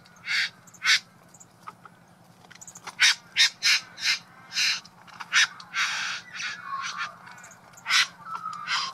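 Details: Male satin bowerbird (Ptilonorhynchus violaceus) displaying at his decorated bower to a visiting female in Buln Buln East, Victoria, Australia: harsh, rasping, crow-like bursts about one or two a second, with buzzy churring notes between them over a faint hum, including mimicry.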